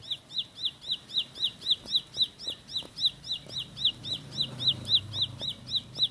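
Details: Bar-winged prinia, the rice-field ciblek form, delivering a long roll of identical high, sharp chipping notes, roughly four per second, steady and regular, with soft low rumbling noise in the background.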